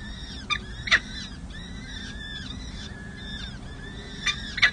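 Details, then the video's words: Four peregrine falcon chicks, six and seven days old, at the San Jose City Hall nest in May 2024 while parents feed them: thin arched calls repeated in overlapping series, with a few sharp knocks and a low steady hum. "San Jose CH Falcons: Hartley feeds 4 chicks 🐥🐥🐥🐥 Monty serenades 🎶"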